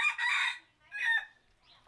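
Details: A chicken gives a loud, harsh, bright call made of two strong bursts about half a second apart, with a faint trailing note afterward.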